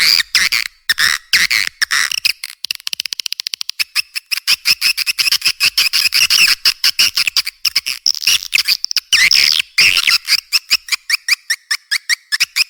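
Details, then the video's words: Edible-nest swiftlet lure sound: dense chirping and buzzy twitters, a fast run of rapid clicks early on, then continuous chattering and clicking throughout. "Suara Walet Terbaik"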